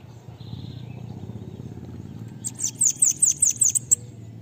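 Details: Bananaquit song for training other birds to sing. A low steady background rumble comes first, then a quick burst of seven piercing, high descending notes in close, even succession.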